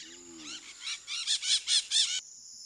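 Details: A blue-throated macaw, critically endangered, from a nest-box conservation effort. Five loud, grating squawks follow one another evenly about a fifth of a second apart, then the sound cuts off.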